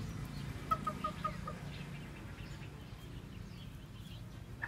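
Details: A white, black-tailed bantam hen, hungry after a long spell sitting on eggs and now foraging, gives a quick run of four short, mid-pitched clucks, then goes quiet over a steady low rumble.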